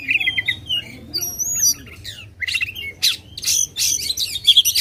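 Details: Oriental magpie-robin used to provoke contest birds, mixing clear long whistles and downward slurs with harsh, buzzy squawks and rapid high chatter toward the end.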